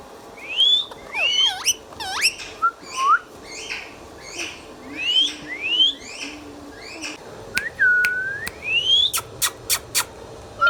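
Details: Pet green ringneck parrot, a talking bird, calling: a fast series of harsh, buzzy notes, each sweeping up and down, then clear rising whistles and a few sharp clicks near the end.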